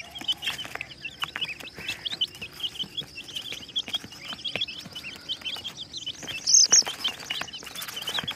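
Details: Colorful chicken chicks peeping together: many short, high, downslurred cheeps overlapping continuously, with a louder pair of sharp squeaks near the end.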